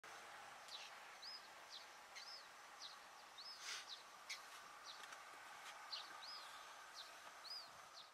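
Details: Whiskered tern (Chlidonias h. hybrida) in the Ebro Delta, Spain, August 2015: short, high, arched notes repeated roughly every half second, mixed with brief harsh rasps, over steady outdoor background noise.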